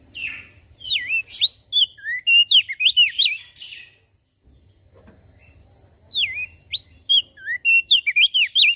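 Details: A Javan grey-throated white-eye singing energetically, claimed to make other birds sing along: two long runs of quick, bending, slurred whistles, many notes each, divided by a brief pause with soft low background noise.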